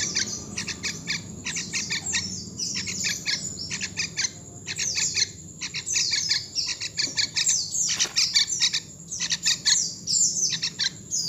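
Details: Wild young yellow-vented bulbul making bursts of sharp, high chirps and squeaky twitters. The bursts are separated by short pauses, over faint low background noise.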